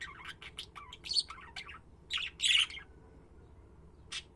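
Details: Budgies chirping and warbling in quick bursts, then a loud harsh squawk, a pause, and one last short chirp.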